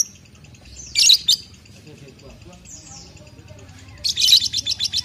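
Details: Two-and-a-half-month-old lovebird giving bursts of sharp, high chirps, a double note early and then a rapid stuttering run of short chirps near the end, with faint low background noise.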